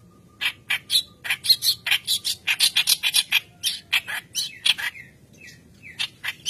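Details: White-browed kerak basi singing vigorously, used as a lure to train young birds: a fast run of harsh, scratchy chattering notes, some with high whistled tones, broken by a short pause before a few more bursts.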